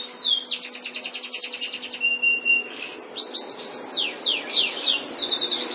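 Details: White canary singing indoors: a fast rolling trill of high repeated notes, then a steady whistled note, then a series of quick downslurred sweeps, over a constant low electrical hum.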